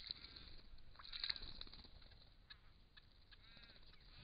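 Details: Wild Crested Shrike-tit recorded by camera trap in regional Victoria, Australia, giving short harsh chuckling notes in irregular bursts, loudest in the first second and a half, then softer scattered notes over a steady background hiss.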